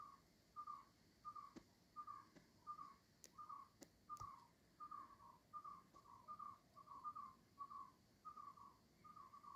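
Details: Two greater coucals near a window making two different calls: soft, hollow, mid-pitched hoots repeated roughly every half second, mixed with sharp clicking notes from the second bird.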